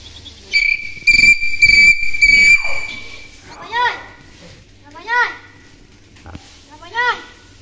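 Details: Tame hill myna talking: three clear whistled notes on one steady pitch, then three separate voice-like rising-and-falling syllables spaced about one and a half seconds apart in a quiet indoor setting.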